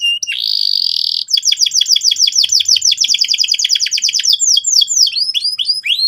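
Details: Canary song meant to prompt another bird to sing: a sharp buzzy opening, then a long, fast run of repeated down-slurred chirps, ending in slower, wider sweeping whistles.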